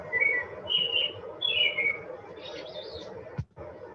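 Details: American robin (Turdus migratorius) song, separated by software from a larger automated-recorder field recording used by park staff to track migratory birds in Canada's Arctic: clear caroling phrases rising and falling in pitch at a steady rhythm, then softer high notes, over low hum.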